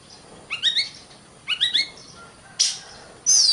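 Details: Oriental magpie-robin (kacer) in a long master recording for training songbirds: two quick bursts of stacked, rising chirped notes about a second apart, then a thin whistle, a harsh buzzy rasp and a sharp high downslurred note.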